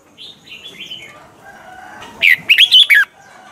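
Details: Caged red-whiskered bulbul singing a mature, wild-style double-note song used to train other birds: soft warbled notes early, then a loud burst of four quick slurred whistles around the second mark, rising and falling in a tight phrase.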